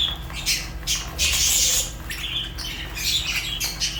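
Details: Fischer's lovebirds squawking: loud, harsh, high chirps in overlapping bursts, a sustained noisy outburst near the middle, low hum in the background.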